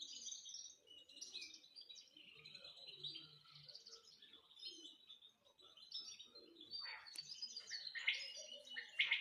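A canary sings a long, unbroken run of high, rolling trills and warbled phrases.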